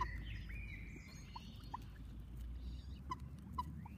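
Common moorhen chicks give thin, short peeps and a few drawn-out whistles, scattered irregularly over a steady low rumble of wind or distant traffic.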